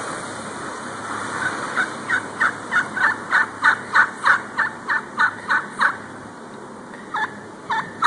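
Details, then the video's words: Wild turkey calling on the evening of February 6, 2011, around 6:11 PM: a long run of sharp, evenly spaced notes, about three per second, building in loudness, then a short pause and a few more notes. "Wild Turkey Talk"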